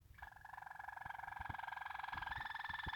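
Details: Waterslager canary, a song canary breed whose voice is likened to dripping and flowing water, giving a low, soft, rapidly pulsed rolling trill that swells gradually and lifts slightly in pitch over three seconds, with faint clicks beneath.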